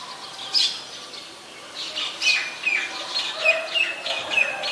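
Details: White-vented myna recorded in Ubon Ratchathani, Thailand, on 26 December 2020: a run of short harsh squawks and chirps, with bright upward-flicking notes repeated roughly every half second. Several overlapping callers are possible, and a faint lower note sounds midway.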